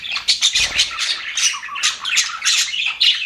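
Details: Happy budgerigars in an aviary, several chattering together: a continuous dense mix of high, scratchy chirps, squeaks and warbling twitters overlapping without pause, with brief louder squawks standing out.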